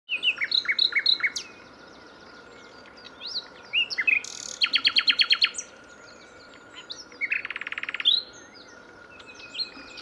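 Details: Live nightingale singing: varied phrases of sharp repeated notes, a fast rattling burst of strokes midway and a buzzy even trill near the end, separated by short pauses, over a faint steady hum.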